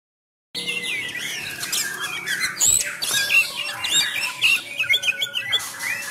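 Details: Sumatran white-rumped shama kept caged for home practice, giving its fighting song after a moment of silence: dense run of chattering, squeaky notes and bright whistled sweeps over a faint steady hum.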